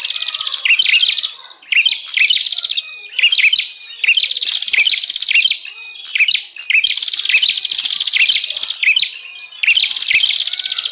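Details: Lure recording of a noisy, agitated bar-winged prinia used to draw in wild birds: loud rattling chatter of fast repeated buzzy notes, broken by brief rising whistles, in bursts about every one to two seconds.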